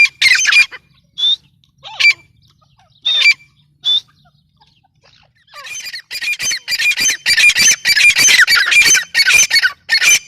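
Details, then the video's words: Grey francolin (teetar) giving a few spaced, sharp whistled notes, then after a short silence breaking into a rapid run of harsh, scratchy bursts repeated almost continuously. "gray francolin teetar sound"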